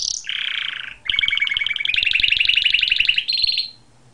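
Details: Canary song: a high whistle, a low buzzy roll, then a long rising double trill of rapid notes ending on a steady high trill.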